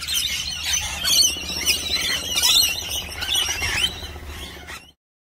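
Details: Lorikeets feeding together on a nectar and honey mix give harsh, high squeals and chattering screeches in irregular rapid bursts, then fall silent near the end.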